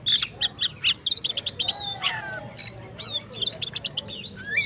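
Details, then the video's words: Oriental magpie-robin in fighter-style chirping song: a quick series of sharp, repeated high chirps, then varied sliding whistles and squeaky rising notes, with faint lower sounds in the background. "magpie robin chirping sound fighter"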